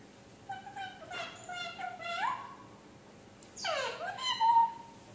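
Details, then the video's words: Pet talking parrot indoors, voicing harmonic, speech-like phrases: a wavering run of syllables, a rising slide, then after a short pause a loud falling cry ending in a thin steady tone; a person speaks affectionately just before. "talking 🦜 parrot"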